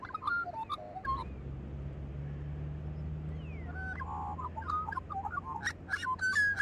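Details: Singing magpies give scattered warbles and slurred whistles over a steady low hum, the song growing busier and louder toward the end.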